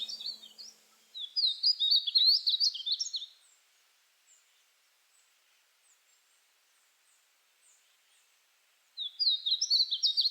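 A Painted Bunting sings two high, quick, sweet warbled phrases of jumbled rising and falling notes, separated by several seconds of quiet.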